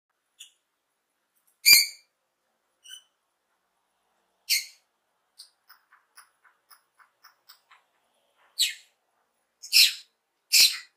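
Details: Lovebird giving happy chirps: short, sharp, broadband squeaky bursts spaced irregularly, several loud ones near the end, with a soft run of quick, evenly spaced ticking notes in the middle, in a quiet indoor setting.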